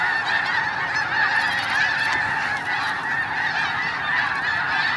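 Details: A large flock of snow geese at Hagerman National Wildlife Refuge suddenly takes off without warning, honking continuously in a dense overlapping chorus of nasal, yelping calls with a rushing undertone of wingbeats.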